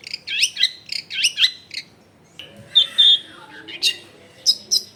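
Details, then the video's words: Long-tailed shrike singing energetically, recorded at a house in a densely populated neighbourhood and used to prompt silent shrikes to sing: bursts of sharp, high chattering notes, a short pause, then a scratchy warble and more high chirps. "CENDET GACOR BAHAN BUNYI ISIAN MELIMPAH CENDET DIAM LANGSUNG NYAUT EFEKTIF CENDET AGAR IKUT BUNYI"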